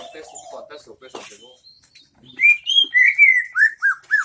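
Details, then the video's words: Greater green leafbird, isian MB song, Central Aceh: after soft low murmuring and rustles, a sudden bright series of rising whistles and down-slurred chips, about five notes a second. "cucak ijo isian MB"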